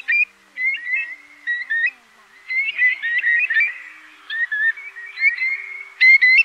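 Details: A Eurasian curlew gives clear, rising whistled notes in quick, uneven bursts, several calls overlapping at a fairly high pitch; the recording is used as a night lure during the August 2024 migration.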